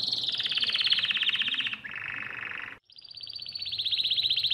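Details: Canary song meant to teach young birds: a fast high rolling trill that eases downward, switches to a lower buzzing roll, pauses briefly, then resumes as a bright rapid trill.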